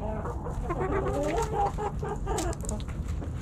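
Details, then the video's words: Backyard hens and roosters snacking at Thanksgiving; dense overlapping murmured clucks and wavering calls from several birds, with sharp pecking clicks. "Backyard Chickens Thanksgiving Snacking Sounds Noises Hens Clucking Roosters Crowing!"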